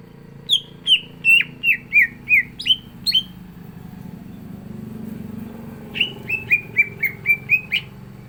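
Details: Greater green leafbird (cucak ijo) singing in full 'gacor isian' style: two long runs of bright, downslurred whistled notes, about nine then eight, separated by a short pause with faint background hum.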